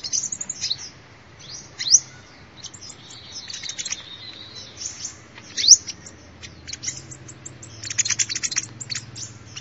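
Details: Sunbird song offered as a lure call: scattered high, thin twitters and sharp rising chips, loudest near two and six seconds, with a busier run of clicky notes toward the end.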